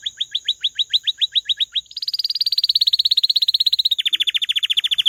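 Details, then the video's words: Canary singing a series of about a dozen rising whistled notes repeated roughly six per second, then switching to a very fast high trill and a slightly lower rapid roll. "کەناری ـ الكناري ـ canary"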